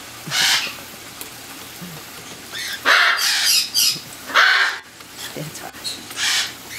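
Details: Ten cockatiels bathing in the sun give harsh, raspy squawks in short bursts, with a low steady hum behind them.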